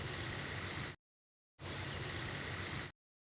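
American Redstart flight call: a single very high, thin note with a tiny initial dip then a quick sweep, heard twice about two seconds apart over steady hiss.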